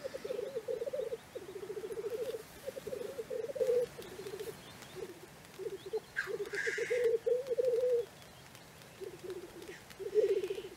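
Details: Several male Black grouse (Lyrurus tetrix) keep up a low, dove-like bubbling lek song in overlapping pulsed phrases, with one harsh hissing sneeze, during a morning courtship display at a lek in Cairngorm National Park.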